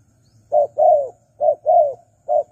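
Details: Spotted dove call used as a lure for wild doves: low, mellow coos in two phrases, a short note then a longer, slightly falling coo, then another short note, then a pair, then a short closing coo. Faint low hum underneath.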